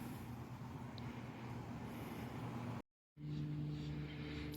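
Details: Road traffic hums and rumbles outdoors, broken by a brief gap of silence, with no animal voices.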